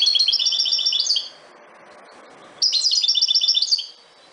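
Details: Song of a European goldfinch (Carduelis carduelis parva): two fast, jingling phrases of bright, high chirps, each about a second long, separated by a short pause. The chirps are repeated in quick, slightly uneven succession.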